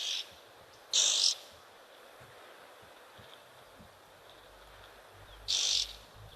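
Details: Oxpeckers at an African waterhole give alarm calls, possibly because an antelope or large mammal is nearby: harsh, hissing rasps in three short bursts a few seconds apart, high-pitched and scratchy over a quiet background.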